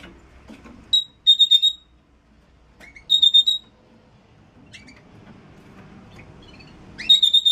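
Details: Red-rumped parrot song meant to encourage mating: short bursts of rapid, high pulsed whistles, each lasting under a second and repeated every couple of seconds, with quiet rising chirps and faint background rustle between bursts.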